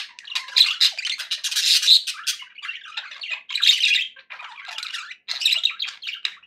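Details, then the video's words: Budgerigar chatter from cheerful pet birds: grating warbles, whistled chirps and clicks in uneven bursts, some louder squawky notes, separated by short silences. "happy budgie sounds"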